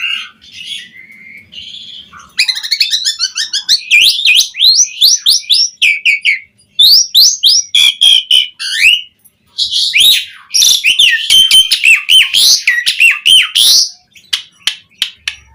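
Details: Asian pied starling in lively full song, packed with mimicked material, played to coax other starlings into singing: a quiet start, then dense rapid chattering notes, harsh crackling bursts and high whistled slurs, repeated quickly with brief pauses.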